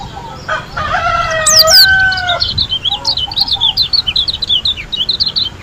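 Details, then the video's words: White-eye (pleci) from Lombok. A rooster crows loudly at the start, then a steady run of high, quick chirping notes continues to the end. "KUMPULAN SUARA PLECI GACOR ASLI DARI LOMBOK‼️ SUPER NGALAS TEMBAKAN MEWAH"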